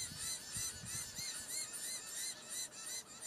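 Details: Diamond firetail calling in Victoria, Australia, November 2015: a steady overlapping stream of high, arched, ringing notes repeating about three times a second, with a faint low rumble in the background.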